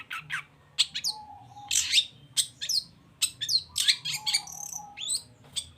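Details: Long-tailed shrike in full, energetic song, used to rouse a silent shrike into answering: quick run of harsh, scratchy chattering bursts and short down-slurred whistled notes at varying gaps, over a faint steady low hum.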